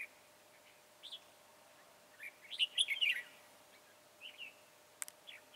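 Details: Trapping a long, slim red-whiskered bulbul with high crest and dark bib on 22 January 2018; a cheerful burst of quick whistled notes midway, preceded and followed by softer isolated chirps and a brief click.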